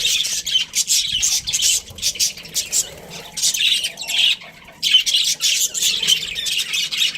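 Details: Breeding pair of Australian budgerigars giving bursts of harsh high chirps and squawks separated by brief quiet gaps, with faint low background noise.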